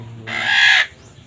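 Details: Green parrot gives a single harsh, raspy squawk lasting about half a second, loud and broad, then silence with faint low background noise.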